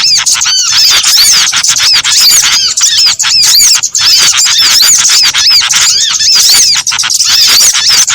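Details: Lure recording combining several small birds' calls for bird trapping; many overlapping high, thin chirps and arched whistles pour out continuously, with the loud chatter barely dipping at any point.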